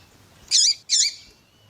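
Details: Double-collared seedeater (Sporophila caerulescens), in a recording of a male and a calling female: two bright, high 'tuí' notes about a third of a second apart, each with a quick falling-then-rising twist; otherwise quiet.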